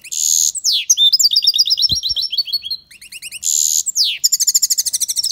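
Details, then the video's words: European goldfinch singing loudly, likely an aviary bird; rapid high twittering song with harsh buzzy bursts, trilled runs and rhythmic repeated chirps, almost without pause. "Goldfinch singing the best chirping | Bird songs - Chirping birds - Jilguero cantando fuerte"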